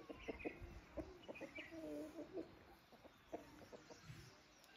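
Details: Domestic desi chickens on a village hen farm: short, low clucks in uneven bursts with a few longer drawn notes, over steady background hiss.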